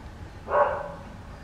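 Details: A domestic chicken at Bled, Slovenia, on 14 January 2023 gives one brief, harsh, mid-pitched call, loudest at its start and fading over a third of a second, against quiet background hiss.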